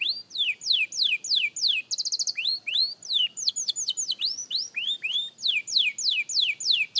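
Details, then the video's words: A young canary at singing practice gives clear descending whistled sweeps. A brief rapid trill follows, then a varied mix of rising and falling slurred notes delivered in quick succession. "Young Canary Singing Practice – Surprisingly Good for a Beginner!"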